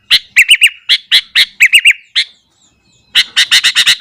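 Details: Sooty-headed bulbul in morning song aimed at provoking other bulbuls: crisp, chirpy warbled notes in quick triplets, a one-second pause, then a fast burst of bright repeated chirps.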